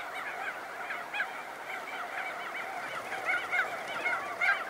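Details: Crested auklets leaving their burrows, calls mixed with wingbeats: a steady crowd of overlapping nasal honking notes, with a few stronger calls toward the end.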